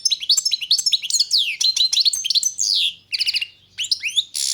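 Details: European goldfinch of the form Carduelis balcanica singing a fast, lively medley of sweet chirps, downward-sliding notes and twitters, with a brief harsh buzzy note at the very end.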